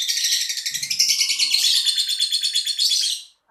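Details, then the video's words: Continuous rapid lovebird chatter, a dense stream of harsh, high, buzzy pulses repeated many times a second for about three seconds, then stopping abruptly. "LoveBirt_Bunyi suara burung"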